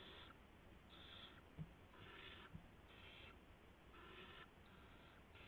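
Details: Barn owls at a nest with owlets, with an adult delivering a gopher at 3:10 AM on March 16, 2016. Harsh, breathy hissing screeches, each under half a second, come about once a second over a steady low hum.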